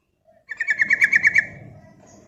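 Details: Javan sooty-headed bulbul, a lure and tutor recording meant to prompt other bulbuls into long trilled song, delivers one quick rolling trill of about eight clear, even notes lasting under a second, then quiet.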